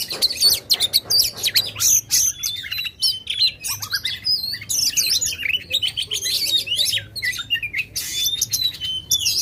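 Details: Oriental magpie-robin in loud, persistent song, used to provoke contest birds: dense run of sharp high chirps, whistled slurs and rapid trills, varied phrases with hardly a pause, faint low hum beneath.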